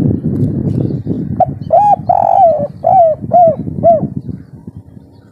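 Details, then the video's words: Spotted dove in full breeding condition, local kuk 3 style, singing loudly: a short note, rolling coo and four falling coos, over continuous low rumbling background. "Derkuku kuk3 lokal gacor ngamuk suara besar - full birahi"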